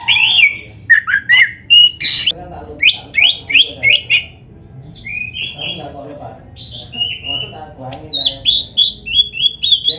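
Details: Oriental magpie-robin singing a loud, varied, full-repertoire song, played to stir other magpie-robins into answering. Rapid whistled notes and sharp rising and falling phrases run almost without pause, with a faint low hum beneath.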